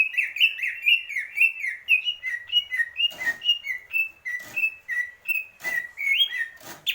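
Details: Greater green leafbird repeating short whistled slurred notes at a brisk, steady pace, each note dipping then rising, with occasional sharp clicks breaking in.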